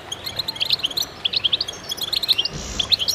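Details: Several goldfinches in concert giving quick, bright chirps about one and a half per second, interspersed with short twittering runs and a soft rushing sound near the end.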